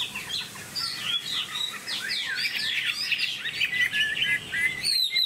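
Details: Tame caged Chinese hwamei pouring out a rapid, varied warble of bright whistles, trills and quick slurred notes, continuous for five seconds, ending in a sharp high flourish.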